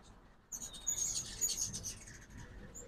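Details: A ruby-throated hummingbird gives a quick run of high, squeaky chittering after a short quiet start. It was recorded at a backyard feeder in Oxford, Mississippi, on a 2024 fall migration morning.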